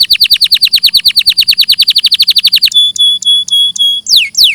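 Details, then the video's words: Canary song: a rapid trill of falling notes for nearly three seconds, then a series of ringing, bell-like tones and two quick descending sweeps; clear recording. "Masteran suara burung KENARI II audio jernih"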